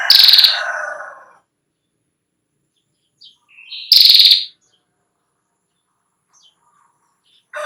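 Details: Female Ashy prinia, its long 'ngetiir' trill offered for teaching young birds: a harsh, buzzy rasp blends with a high pulsed trill at the start, followed by a soft chirp and another brief, rapid trill after a pause.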